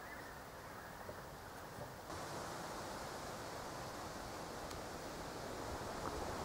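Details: Low rushing wind or surf noise that grows louder after two seconds, with no animal voice.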